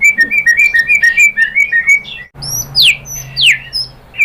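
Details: White-rumped shama, murai batu, song played as a lure to provoke other birds to sing: rapid run of short chirped notes near one pitch, then after a brief gap loud sweeping whistles sliding down from high.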